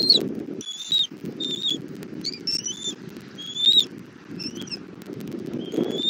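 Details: Bald eagle mother delivering food to her chick at a Southwest Florida nest, evening of 1 April 2024: thin, rising squeaky chirps given in quick bursts, over steady low rustling.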